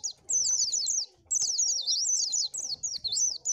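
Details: Oriental white-eye song used for luring birds: fast, high, warbling twitter of rising and falling slurred notes in two long phrases split by a brief pause.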